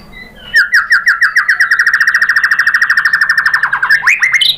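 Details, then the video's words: White-rumped shama lure song meant to draw replies from other birds: a long rapid trill of identical clipped notes repeated about ten times a second, ending in upward-sweeping whistles. "KICAUAN MURAI BATU bikin NYAUT ikut BUNYI GACOR NGEPLONG BONGKAR ISIAN ¦ PANCINGAN MURAI"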